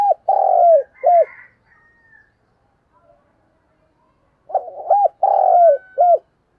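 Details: Decoy spotted dove calling to lure wild doves: two low, mellow cooing phrases, each of hooked coos with a longer drawn-out note in the middle, separated by about three seconds of quiet. Faint higher whistles follow the first phrase.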